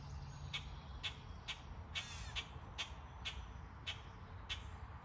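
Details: Summer birds in trees give brief, sharp chirps at an even pace of about two per second, broken once by a harsher rasping note, over a faint low rumble.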